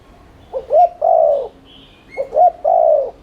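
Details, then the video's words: Spotted dove, its rapid 'thúc liên thanh' cooing used as a lure to make doves coo: two low phrases, each a quick pair of short rising notes followed by a drawn-out soft coo, with a faint thin higher tone between. "Cu gáy THÚC Liên Thanh kích bổi,mồi ức chế nhanh gáy/kích bổi nhanh nổi"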